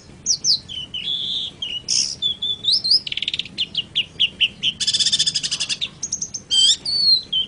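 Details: Long-tailed shrike in a master recording for songbird training: a rich, varied medley of swooping whistles, trills, rapid buzzy rattles and sharp high chirps, delivered almost without pause.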